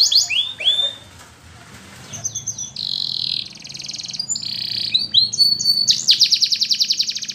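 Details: Canary, presented as a Russian canary in flute-style training song, sings a varied song of high whistles, sweeping notes and fast trills, ending in a long rapid rattling trill.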